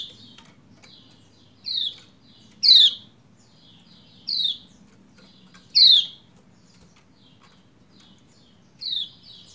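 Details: Lombok white-eye hen calling so the male sings sooner; five distinct high, downward-sweeping chirps at irregular one-to-three-second intervals, with faint softer notes and low hum between.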